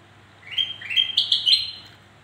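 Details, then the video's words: A black-crested bulbul, in a recording used to lure reluctant birds into singing, gives one quick phrase of four or five bright, liquid whistled notes. They rise and step upward over about a second and a half against quiet background. "Suara Burung kutilang Emas Untuk Memancing Bunyi Burung Malas Bunyi"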